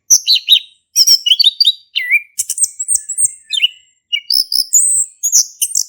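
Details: Singing male orange-headed thrush, a recording for prompting a non-singing bird: rapid sequences of chirps, whistled slurs and sharp ticks in bursts separated by short gaps, ending in high clear whistles.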